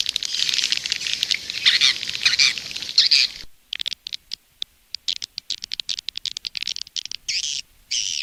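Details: Indonesian lure sound of edible-nest swiftlets for outside a nest house: about three seconds of dense, high twittering chatter, then a run of dry, irregular clicks, ending with two short buzzy chirps.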